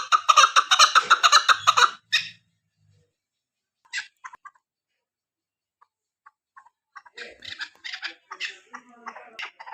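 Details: Female chukar partridge, used as a hunting call, gives a two-second burst of harsh, chattering chuck notes, then rougher chattering after a near-silent pause with scattered clicks.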